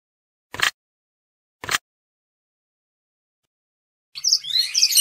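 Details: A black-breasted, orange-breasted zebra finch chick gives two short, harsh rasps, then a quick burst of thin, high chirps.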